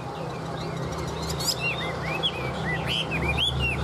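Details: Tame Chinese hwamei singing in captivity, a rich run of clear whistled notes, many sweeping upward or downward slurs repeated quickly, some high buzzy flourishes, over a steady low hum.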